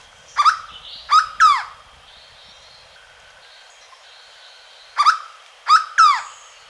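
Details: At Alto Caparaó in Caparaó National Park, a Hooded Berryeater gives two triplets of loud, nasal, falling notes, each a lone note then a close pair, with quiet gaps and faint background birds.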